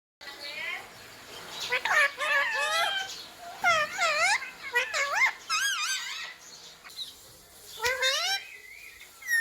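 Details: Rose-ringed parakeet talking, repeating the words "mummy" and "papa": a run of clear, harmonic, word-like phrases with curved rising and falling tones, broken by short pauses, in a quiet room.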